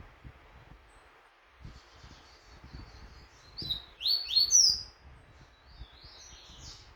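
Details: A double-collared seedeater practising for a song contest bursts into a brief, fast, high-pitched warble near the fourth second after quiet, with steady low background noise.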